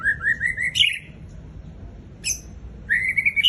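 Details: Fierce song of a white-rumped shama (Murai Raja Rimba): rapid rising series of chattering whistled notes ending in a high buzzy flourish, a short sharp accent, then another climbing run of quick warbled notes.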